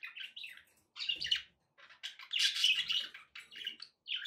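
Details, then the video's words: Budgerigars calling as pets: rolling warbled chirps and a loud scratchy squawking passage, notes tumbling together with short gaps. "budgie sounds with background noise for relaxation"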